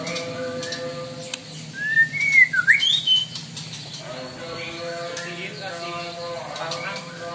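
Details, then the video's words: White-rumped shama in full, energetic song with a rough, harsh delivery: a loud burst of sweeping whistled notes, rising and falling steeply, then quieter chattering over steady background hum. "Murai Batu Gacor Nembak Kasar.!!!"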